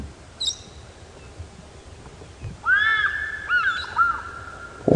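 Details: An African fish eagle, distant in dead trees and probably hunting at a nearby waterhole, gives a ringing series of arched, yelping notes ending in a drawn-out tone, on a misty August morning at Djuma Game Reserve; a brief high squeal earlier, a knock closes.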